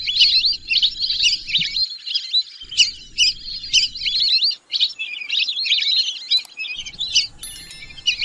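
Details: Whistling ducks calling in a dense run of sharp, high squeaky whistles, mostly continuous with brief dips, with a thin metallic ticking near the end.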